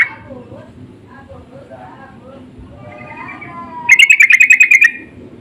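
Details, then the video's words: Insistent sooty-headed bulbul lure call: after quiet scattered twittering, a single loud run of about a dozen quick, even chirps near the end. "Pancingan dan panggilan burung trucuk saling bersahutan❗suara ngotot"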